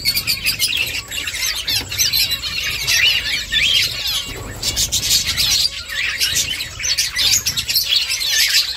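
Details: Finches working on a nest fill the air with steady, high-pitched twittering, many short chirps layered together, with a couple of clear thin notes near the middle.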